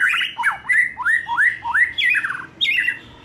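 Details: Young forest-caught White-rumped shama past the spotted juvenile stage, recorded to encourage singing: a series of clear, upward-swooping whistles, about two per second, closing with brighter falling phrases.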